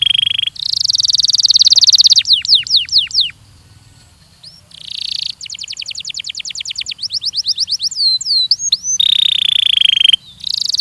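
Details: Belgian canary singing in a training recording: loud high buzzy trills alternate with fast runs of sharply falling whistled notes and a long rapid rattle of clicks, ending on another bright sustained trill.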